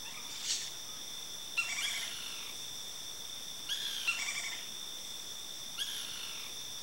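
Crested oropendola gives short liquid, gurgling bursts with falling notes, repeating about every two seconds over a steady high insect whine.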